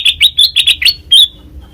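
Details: Short phrase of black-crested bulbul song for trapping-lure use: six rapid, bright chirping whistles, then one longer clear note, all crisp and loud.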